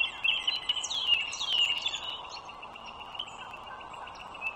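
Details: Bald eagle by a northern Virginia toll road, 21 March 2023 in the morning: a few high, thin squeaky notes early on that fade into quieter faint piping, with steady background hum.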